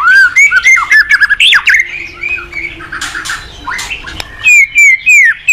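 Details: Morning singing of a white-rumped shama kept as a cage bird and played as a lure: rich looping whistles and rapid chatter, a quieter scratchy middle passage, then loud clear slurred whistles.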